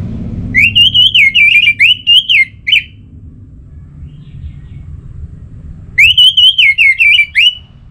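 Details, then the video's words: Orange-headed thrush in active song meant to spur other thrushes into singing. It gives two matching phrases about four seconds apart, each a quick string of warbled, rising-and-falling whistles ending in short notes. "Anis Merah Gacorr Untuk Pancinggan Burung Punglor Jadi NGeplong Bahkan Teler Kalau Jantan"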